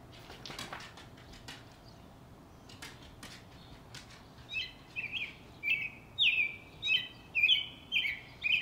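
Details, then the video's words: Robin in a backyard: several seconds of scattered sharp clicks and taps, then the bird breaks into a string of bright, whistled caroling phrases repeated steadily, roughly two each second, until the end. "Singing robin"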